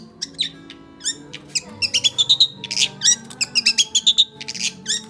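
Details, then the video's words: Non-stop singing from an oriental magpie-robin: sweet sustained whistles alternate with clusters of sharp, buzzy chirps and brief rattles, while soft music hums steadily beneath. "burung full non stop berkicau kacer"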